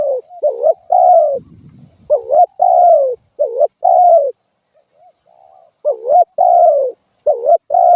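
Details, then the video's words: Spotted dove calling steadily in double-note coos, a quick dip then a long falling tone. A brief low rustle sounds early on, and a soft quiet pause falls near the middle. "suab nquab lauj kaub tawg เสียงนกเขาใหย่"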